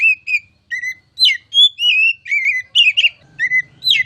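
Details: Oriental magpie-robin (kacer) song of varied whistles, slurred notes and quick chip clusters, with faint low rumble and hum underneath.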